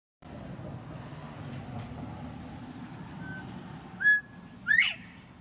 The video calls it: Bobwhite quail northern